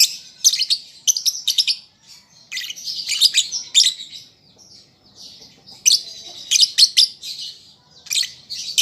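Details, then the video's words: Chattering song of a young lovebird still learning its sounds, used to draw replies from pet birds: clusters of shrill, grating chirps broken by brief quiet gaps, with bursts returning around six and eight seconds. "Pancingan Lovebird Paud Belajar Bunyi Ampuh Langsung Nyaut"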